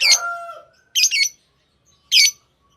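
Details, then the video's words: Pet lovebirds, tamed: a drawn-out, lower, falling squawk opens, followed by two loud, buzzy double chirps and one more harsh chirp after a pause. "Love birds Sounds | lovebirds chirping sounds"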